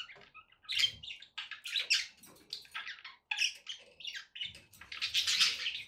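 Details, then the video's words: Pet budgerigars warble almost without pause: scratchy, buzzy chirps and squeaks that rise into a louder, harsher chattering stretch at the end. "relaxing budgie sounds"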